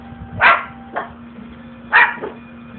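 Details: Pet umbrella cockatoo barking at the household dogs: two harsh, dog-like barks about one and a half seconds apart, each trailed by a softer echoing yap, over a steady low hum.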